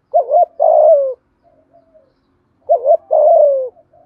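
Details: Spotted dove in the earthy 'giọng thổ' voice, cooing to provoke a rival: two phrases roughly two and a half seconds apart, a quavering double note leading into a long coo that sinks in pitch.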